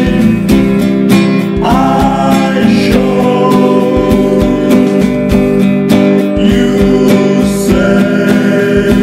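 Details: Strummed acoustic guitar music plays throughout, with no animal sounds heard.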